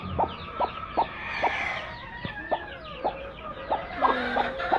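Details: Two broody hens sitting with each other; short low clucks repeated about every half second, with a thin chorus of high descending peeps in the background.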